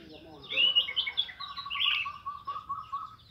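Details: Morning ngeplong song of an orange-headed thrush for prompting other thrushes to sing: bright, high whistled phrases over a faster string of short, even pulsed notes running to the end.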